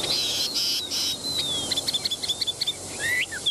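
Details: Chinese hwamei, a very tame selected bird taken to a café: a high, thin gliding whistle, then a quick string of short, repeated chirping notes and a final rising slur over a constant background hiss.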